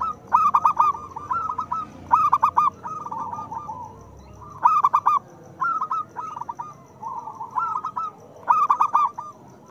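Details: Loud-voiced local zebra dove song used to encourage silent doves: crisp, rapid cooing notes delivered in short phrases roughly every one to two seconds.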